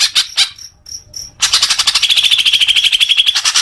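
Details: A few loud notes and soft high ticks, then a greater green leafbird breaking into a long fast trill that settles into a steady whistled tone, used to coax caged birds into song.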